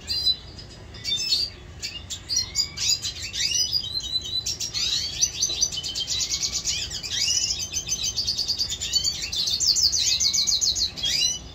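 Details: Pet red siskin (Spinus cucullatus) recorded in 2022, singing a fast, high, continuous twittering song of buzzy trills, nasal notes and quick chirps for about ten seconds.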